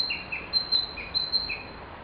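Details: Narcissus flycatcher song from a recording over a decade old: rapid high whistled notes alternating with lower soft warbled notes, quick and bright, over light hiss.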